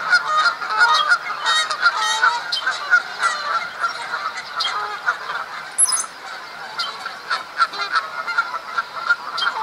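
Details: Canada geese in spring mating season at Duke Farms, New Jersey, April 2015, fighting over females: a noisy flock of overlapping nasal honks, rapid and irregular, several birds calling at once.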